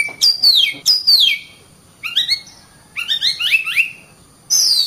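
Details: Kacer, or oriental magpie-robin, in song: downward-slurred whistles open the phrase, followed by clusters of quick notes stepping upward, with silent gaps between the bursts.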